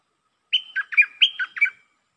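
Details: Red-whiskered bulbul, lak ber song style, delivering a lively phrase of about seven whistled notes, each dipping downward, in a steady bouncing rhythm without other sounds.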